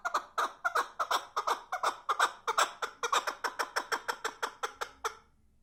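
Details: Chukar partridge calling: a rhythmic series of about twenty harsh, clucking chuk notes at nearly three per second, steady then fading out at the end.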